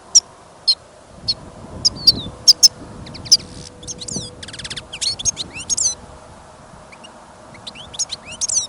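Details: European goldfinch held in a cage for listening, singing in snowy, gusty weather: spaced high tinkling notes at first, then fast twitters, a short buzzy rattle and sweeping whistled slurs, over low wind noise.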